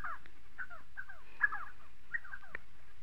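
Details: Spotted sandgrouse, southern Morocco, giving short bursts of liquid, down-slurred mid-pitched notes in small groups, about four clusters over three seconds, with a faint click near the end.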